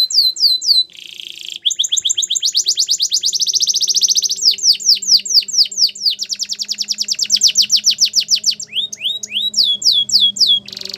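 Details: Belgian canary song for training canaries to sing: long varied phrases of fast repeated descending chirps, a steady rolling trill, and rapid whistled notes, continuous and loud, with a faint low hum beneath.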